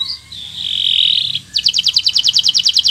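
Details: Local bottle-green canary song used to teach young birds: a sustained high buzzy note for about a second, then a rapid series of sharp repeated chirps.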